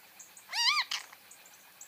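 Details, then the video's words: Great kiskadee, close and loud: a strongly arched, ringing note rich in harmonics, then a short harsh burst, with faint high ticks in the background. "O CANTO DO BEM-TE-VI (Pitangus sulphuratus)"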